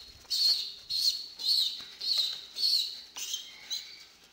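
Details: Young pigeon around weaning age, hand-fed by syringe indoors, begs eagerly with a steady rhythmic run of seven shrill squeals, each about half a second apart, over faint background noise.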